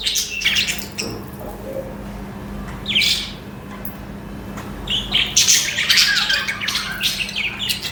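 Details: Chirping budgies: sharp, bright high chirps and short squawks at first, a quieter spell with a few calls, then a lively run of rapid overlapping chirps and chatter toward the end, over a faint low hum.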